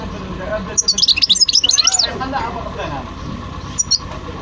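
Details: European goldfinch singing a rapid, chattering phrase of bright twitters for about a second and a half, then a couple of single chirps near the end over low background noise.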